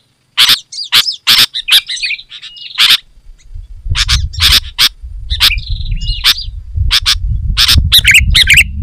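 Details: Sooty-headed bulbul, lively and loud, recorded to attract wild bulbuls: spaced harsh chirps alternating with bubbly whistled phrases, over steady low rumbling noise in the second half.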